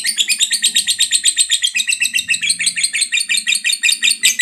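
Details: Long 'ngekek' chatter of a fighter lovebird, played to stir other lovebirds into song: a fast stream of high, harsh chirps at close, fairly even spacing, sustained throughout with a soft low murmur beneath.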